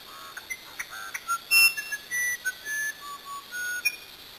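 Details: Musician wren from Brazil, known as uirapuru, singing a varied sequence of pure whistled notes at shifting pitches, some held and some short, with a sharp burst partway through.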